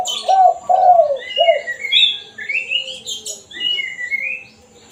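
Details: Spotted dove (tekukur) in the 'kuk satu' single-note style, used as a lure call for wild doves. Three low, soft coos come in quick succession, with high thin chirps and whistles from other birds behind them.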